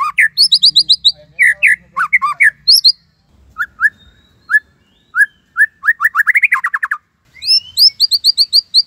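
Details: Caged white-rumped shama from Cililin, a tutor song: quick series of high rising chips, spaced single whistled notes, then a fast rising trill and more high chip runs.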